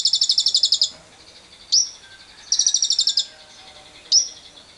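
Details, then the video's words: Lovebird ngekek, a long trill used as a lure to stimulate other lovebirds, recorded with wild birds: two rapid, high, buzzy trill bursts of under a second each, each followed by a single sharp chirp. "Pancingan JITU Lovebird Bisa Ngekek panjang bersama burung liar"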